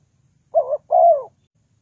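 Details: A single spotted dove phrase from a trapping lure: a short wavering coo followed by a longer, smooth, gently descending one, against near silence.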